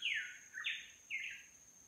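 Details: Bird song in roadside broadleaf tropical rainforest on Babeldaob, Palau: three short slurred whistled phrases, the first falling, the later ones rising then leveling, spaced about half a second apart, over a steady thin high insect whine.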